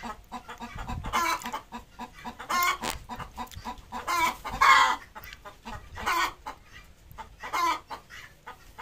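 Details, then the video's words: Desi hen laying an egg at home: repeated loud, raspy clucking bursts every second or two, each a harsh cackle, with rustling in between. "Desi Hen Leying an Egg"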